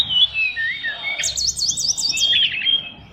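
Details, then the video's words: Short burst of song from a caged fighter-type oriental magpie-robin: a sustained high whistle overlaid with a wavering warble and a rapid rippling trill near the end, with low background noise. "SRDC Fighter isian luber"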